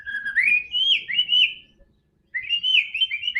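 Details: Prompt song of a white-rumped shama for getting a quiet bird to sing: a rising slurred whistle flowing into sweet warbled notes, a brief gap, then another bright whistled phrase.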